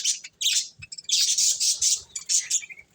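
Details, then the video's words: Budgerigars eating corn produce a loud, continuous run of harsh, high twittering chirps, with one slightly lower trailing note near the end. "Cute Budgies Enjoying Eating Corn | Love Birds Chirping Sounds"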